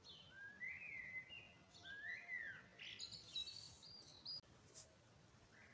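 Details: Birds singing at dawn in spring: clear whistled phrases that slide up and down, some higher thin notes overlapping, and a brief dropout near the end before a final rising note.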